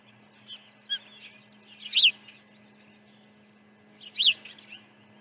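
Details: High, sharp whistled chirps from an osprey at a ranch nest during an early feeding, 1 June 2019. Short softer notes lead to two loud piercing calls about two seconds apart, with a constant low hum behind them.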